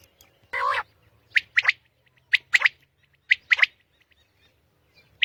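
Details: Early-morning song of a common quail in Pakistan. A short low, harsh note opens, followed by crisp three-note phrases repeated about once a second, each phrase a rapid sharp, liquid triplet.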